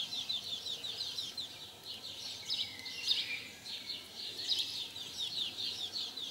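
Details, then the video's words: Mating house sparrows, which mate very often, chirp steadily in bright, overlapping notes, several per second, with brief louder bursts of excited chattering; recorded in 2020. "Huismussen paring"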